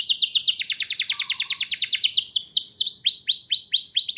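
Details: Loud, lively canary song played to prompt young canaries to sing: a long rapid rolling trill of high repeated notes, shifting into slower, sweeping downslurred whistles.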